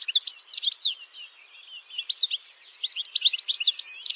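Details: European goldfinch singing in campero style, bright tinkling twitters and quick slurred notes, a brief lull, then a longer, denser stream of chattering phrases.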